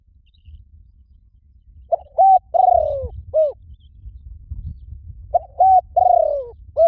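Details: Spotted dove cooing to lure wild doves. Two phrases roughly three and a half seconds apart, each a short note, a steady coo, a long downward-sliding purr and a brief arched note, over low rumbling background noise.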